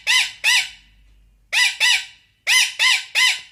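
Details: Pet Indian ringneck parrot scolding angrily: harsh, loud squawks in pairs and triplets, each a rising-falling rasp, with pauses of about a second between bursts.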